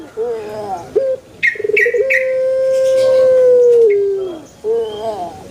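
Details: Male Barbary dove cooing. A clipped note leads into a sustained, even hoot that drops at the close. Short bright chirps from another small bird sound at the start.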